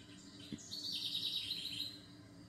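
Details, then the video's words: Relaxing bird sounds: after a soft click, a bird gives a bright, fast-trilled high phrase of about a second, repeated notes slightly falling, over a faint low hum. "SONIDOS DE PÁJAROS RELAJANTES"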